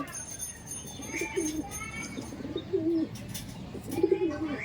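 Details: Caged Teddy Kamagar pigeons at a loft cooing: short burbling low coos come in bursts roughly every one to one and a half seconds, with faint chirps and soft knocks behind.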